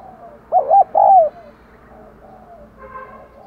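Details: Caged decoy spotted dove cooing to spur wild doves to call: a single mellow phrase of short hooting notes rising into longer, slightly falling coos, followed by quieter faint coos in the background.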